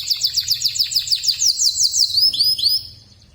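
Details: A canary of the AF series sings loudly: a rapid, even trill of high notes repeated about five times per second, followed by a few rising, upward-sweeping whistles before falling silent.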